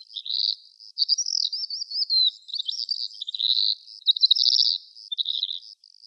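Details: Calandra lark from Greece giving a bright, warbling run of slurred whistles and fast trilled notes, rising and falling in irregular bursts.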